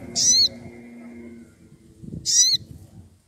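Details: A wild sogon woodpecker, worked up and challenging a rival, gives two strong, high, grating calls that slur downward, roughly two seconds apart, above faint low background noise.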